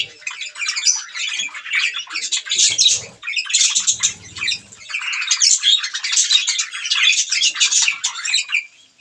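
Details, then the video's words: Chirping budgerigars at a meal of green food: steady rolling chatter of scratchy notes and squeaks, briefly dipping near three seconds, with faint low rumbling in the background. "budgies green food eating | bird chirping sound"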